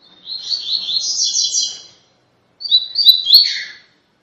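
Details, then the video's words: Rusty-collared seedeater (coleiro pardo) giving its tui tui song, for training captive birds: a two-second high, buzzy warbled phrase, silence, then a shorter run of sharp slurred notes ending lower. "CANTO TUI TUI EXCELENTE PARA TREINAMENTO DE COLEIRO PARDO"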